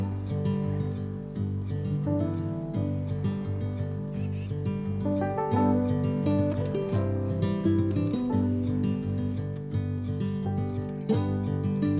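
Steady acoustic guitar music with sustained chords throughout; no animal calls stand out.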